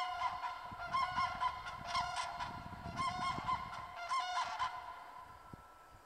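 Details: Common cranes calling in Masovia, Poland: their far-carrying klangor comes as clustered bugling notes roughly once per second, several birds overlapping in three main bursts before the calls trail off quietly.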